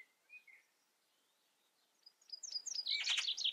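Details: Singing common chaffinch: faint opening notes, then an accelerating run of sharp, high notes that builds into a loud, dense trilled phrase ending abruptly.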